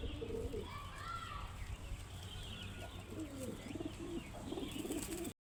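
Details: Low, warbling pigeon coos come in several rolling phrases, strongest near the end, over constant background rumble, with scattered higher twittering from other birds.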